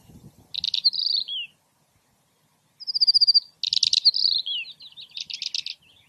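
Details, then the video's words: Finch singing bright, high twittering phrases: buzzy trills and quick down-slurred notes in bursts, with short pauses between phrases. "Finch bird photo and on sound natural"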